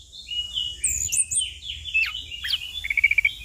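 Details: An orange-headed thrush, or anis kembang, in relaxed ngeplong singing used for bird training and luring: a continuous stream of overlapping whistled slides and sweeps, ending in a fast run of repeated clipped notes.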